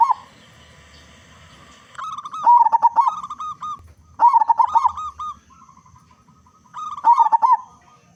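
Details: Local Indonesian zebra dove with a big, active voice, used as a lure to get other zebra doves singing; three cooing phrases of rapid stuttering low notes then a drawn-out tone, after an opening steady hum.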